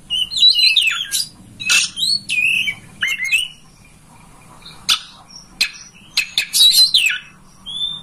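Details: Oriental magpie-robin master recording to lure a home kacer into tail-opening and singing: scattered whistled slurs and sharp clicking notes, separated by short quiet gaps, faint background hum.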